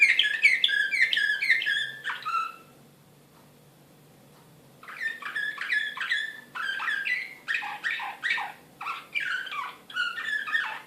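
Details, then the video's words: Excited Serbian Slavujar canary singing, Belgrade, 2016, indoors: fast rolling trills of repeated chirpy notes for two seconds, a pause of about two seconds, then varied trilled and buzzy phrases with sweeping notes continuing steadily. "كناري هائج"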